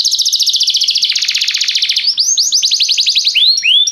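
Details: A canary sings restlessly in dense fast trills of repeated high notes, changing into slower looping slurred syllables near the end.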